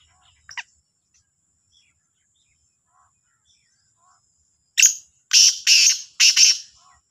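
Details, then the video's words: Morning call of a black francolin, Sahiwal, 18/09/22: after several quiet seconds with a few faint clicks, a grating phrase of one sharp note followed by three harsh, scratchy notes, the final note split in two. "کا لا تیتر کی صبح کی آواز | Kala Sindhi Teetar Ki awaz"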